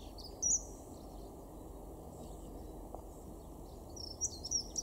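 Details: A dunnock in a garden in Weener, East Frisia, northwest Germany, in February 2023, gives thin, very high piping notes, one near the start and then a quick run of three or four near the end, over a steady low rumble.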